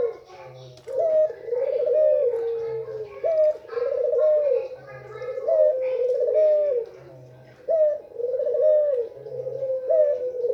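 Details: Female white Barbary dove calling to arouse males: a low, rolling coo with a short rising start, repeated roughly every two seconds across five phrases, indoors with little background.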